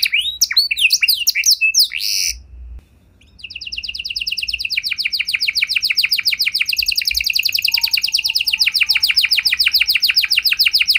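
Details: Varied quick high notes from a canary give way to a brief silence, then a long, rapid trill of repeated down-slurred notes builds and carries on. The song is meant to draw replies from other canaries.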